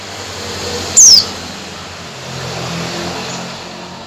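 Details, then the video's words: A female Oriental white-eye calls to a male with one brief, piercing whistle that slides downward, set against constant road noise and a faint low hum. "PLECI BETINA MEMANGGIL JANTAN"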